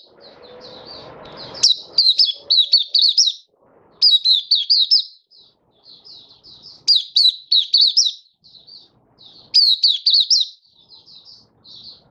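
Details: Caged Malaysian white-eye in Singapore singing on a stable, warm, sunny day, 20 March 2023: bursts of high, rapid, sweeping twittered notes in phrases about two seconds long, with short pauses and low background rumble between bursts.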